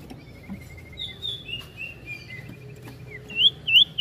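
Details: Ashy tailorbird, locally sirtu, in ngetril ngetrol singing. Soft thin trills and drawn whistled notes step gently between pitches, ending in two loud sharp upswept chirps. A low hum runs throughout.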